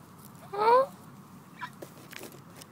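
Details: A hungry Canada goose gives a single nasal, rising honk lasting under half a second, followed by a few faint soft clicks and rustles.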